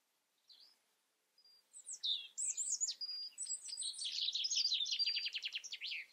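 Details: European robin starts with a couple of soft notes, then pours out a fast, tumbling phrase of sliding whistles and twitters that speeds into a rattling trill.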